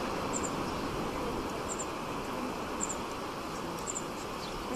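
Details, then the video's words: A European serin fledgling, seen while waiting for its parents at Caión, A Laracha, on 25 July 2013, gives thin, very high double chirps about every second, faint against a steady rumble. "Ao principio escóitase o chío dun poliño de xirín que agardaba polos pais."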